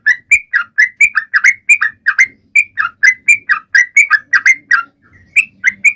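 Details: Sooty-headed bulbul pouring out rapid song to get other, silent birds singing: dense runs of short warbled notes, a brief pause near the end, then a few more chirps over soft low noise.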